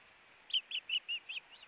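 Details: Ospreys squabbling over a fish at the Hellgate nest, 4 August 2018: a quick run of six high, clear whistled chirps, evenly spaced about every fifth of a second and fading toward the end, over a quiet background.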